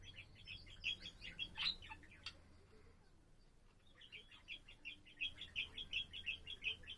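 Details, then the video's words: Warble of a pet budgerigar from 7 April: a rapid, evenly pulsed chattering phrase, a sharp click, a quiet pause, then a second run of quick, regular chirps at about the same pitch, over soft background hum. "セキセイインコ そらちゃんのさえずり"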